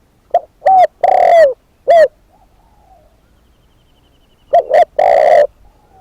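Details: Captive spotted dove decoy cooing in two phrases of short coos and a long rolling note, separated by a few seconds of quiet with faint soft coos.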